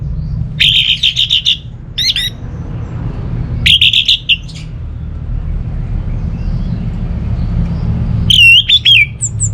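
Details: Orange-headed thrush (anis merah), a kept bird from North Bali, Singaraja, sings in loud bursts of rich whistled and buzzy phrases separated by pauses, used to lure silent birds at home into song; steady low hum underneath.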